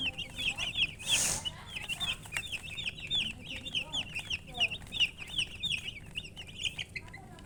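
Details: Baby chicks giving a dense, almost continuous stream of high, bright downslurred peeps from several birds, with one loud rushing burst early on.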